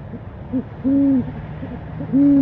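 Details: Owl on a nest camera calling for dinner: two drawn-out, level low hoots about a second apart, with softer short notes in between against a quiet background hum.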